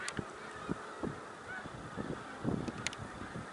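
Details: Distant snow goose flock at Middle Creek Wildlife Refuge, Pennsylvania, 1 March 2021, with scattered short honks about every half second over a steady murmur of many birds.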